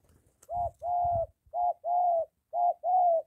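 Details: Spotted dove close by near a home, with a molting decoy bird and a wild one; loud, clear, low coos in three short-long pairs, about one per second, with faint thumps before.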